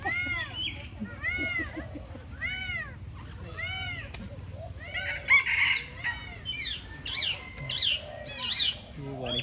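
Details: Alexandrine parakeet being fed: loud, arched, harsh calls repeated about every half second, then a denser burst of overlapping squawky calls, with a low hum and people talking nearby.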